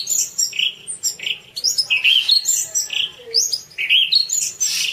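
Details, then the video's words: Song of the orange-banded thrush, offered as masteran for training: dense run of short, slurred high whistles and chirps, warbling up and down with little pause between notes. "suara kicau burung anis cendana : masteran anis cendana"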